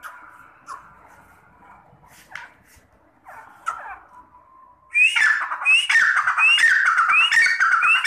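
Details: Partridge (teetar) calling: after about five quiet seconds with faint scattered sounds, loud harsh squawking notes begin, each with a sharp rising upper note, repeated rapidly and steadily to the end.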